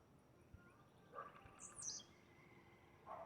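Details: Blue-black grassquit singing in the wild: one short, high, buzzy note near the two-second mark, with softer, lower chirps from other birds around it.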